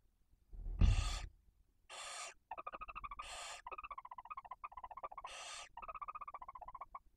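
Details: At a barn owl nest in Cabañeros National Park, Spain, a female tends two chicks one and four days old on prey brought by the male. Four harsh hissing screeches alternate with long runs of fast, pulsing chittering.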